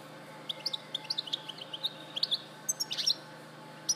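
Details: European goldfinch recorded at Larache in 2014 giving a string of thin, evenly spaced high chirps, then a denser cluster of twitters and a final sharp note, over steady faint hum.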